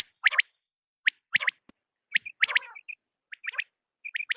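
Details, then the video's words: Quail at night giving short, sharp chirped notes in quick bursts of two to four, with brief pauses between groups. "بٹیر کی رات کی صاف آواز | Raising Batair Voice for Night | Quail Sound one hour"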